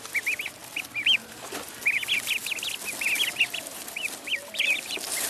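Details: Duckling on a pond uttering quick clusters of shrill peeps, notes crowded together in bursts, with hissing background noise throughout.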